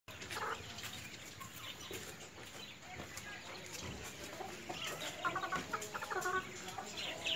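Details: White Leghorn chickens, a hen and rooster, give a few short harmonic clucks late in the recording, faint against a steady background hiss and scattered ticking noises.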